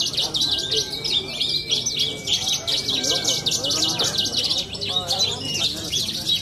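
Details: Young male Horsfield's bush lark, a competition champion, pours out a continuous, rapid high twittering song with quick chirps and trills; faint human voices murmur underneath.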